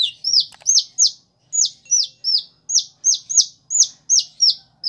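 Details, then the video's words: Regular, evenly spaced cheeps from a captive Kolibri Ninja, each high note sliding downward, about three a second, much like a chick's peeping, part of a song imitating prinia, sparrow and chicks. "Kolibri Ninja (Konin) Gacor Isian Ciblek, Gereja, Anak Ayam, Dll"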